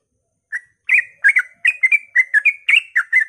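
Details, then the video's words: Yellow-vented bulbul singing at dawn in rapid 'ropel' style, used to lure other bulbuls into song: after a lone note, bubbly whistled phrases around mid pitch follow quickly, paired chirps repeated about three per second, no other sounds. "suara trucukan ropel pagi subuh AMPUH memancing trucuk agar ikut gacor"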